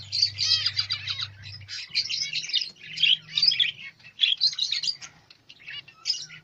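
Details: Zebra finch chicks newly hatched in captivity chatter in loud bursts of squeaky, buzzy chirps separated by brief gaps; a low hum runs early on, with faint background noises.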